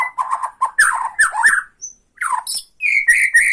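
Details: White-rumped shama from Borneo in provocative rattling display toward another shama: choppy harsh chattering bursts, a brief pause, then higher whistled and scratchy notes repeated quickly.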